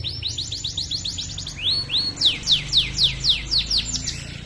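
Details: Canary's long chatty song used to train other canaries: quick high descending sweeps, two rising whistled slurs, then louder swooping chirps repeated about four per second.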